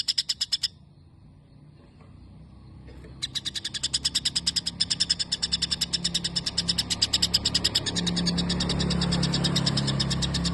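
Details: Caged white-rumped shama with a long sparrow-imitation song: bursts of rapid, sharp chirps repeated about three times a second, pausing briefly, then resuming; low rumbling noise builds toward the end.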